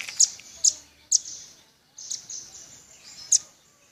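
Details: Velvet-fronted nuthatch singing vigorously: a few sharp, very high chip notes spaced about half a second apart, then a gap and softer high twittering ending in one more loud chip.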